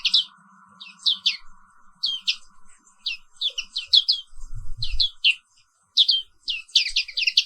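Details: Morning song of the black-capped white-eye, a bird found only in Indonesia: rapid high chirps and downslurred twitters in close bursts, with a faint electrical hum at first and a brief low thud midway.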